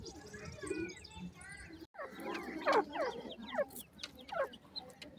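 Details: Thin descending peeps from a group of farm-raised grey francolin chicks in Pakistan, several louder rising-falling chirps standing out, with soft background murmuring.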